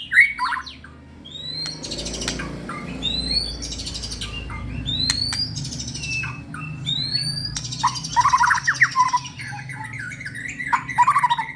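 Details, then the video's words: Singing white-rumped shama kept for contests repeats bright rising whistles every second or two, with sharp clicks, then shifts into a rapid, chattering, varied warble of mixed notes over a low background hum. "burung murai gacor"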